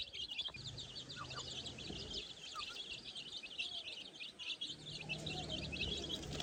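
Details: Young chicks learning to find food in the grass of a farm peep steadily, many high chirps overlapping into an unbroken twitter, with a soft low drone in places.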